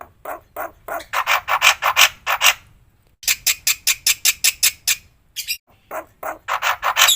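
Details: Black-winged myna in a full, fill-in-rich training recording used to make other mynas respond; harsh, buzzy notes rapidly repeated in bursts, broken by short pauses.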